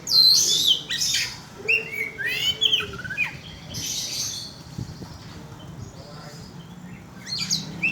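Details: Oriental magpie-robin song played as a lure to provoke birds: bright whistled trills and harsh rasping bursts in rapid clusters, pausing midway, then resuming with high scratchy notes.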